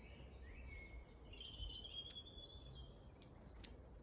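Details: Long-tailed tit in Grunewald on 20 March 2021, uttering drawn thin whistled notes that rise then level off, followed by a few sharp high ticks, over a faint background rumble.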